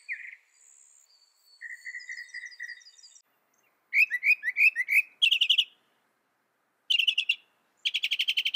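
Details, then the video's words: Mockingbird song of mimicked phrases: a short chip, a steady series of even notes, then loud buzzy rapid trills and harsh chattering bursts repeated in quick blocks, each phrase type different from the last. "Mocking Bird sound"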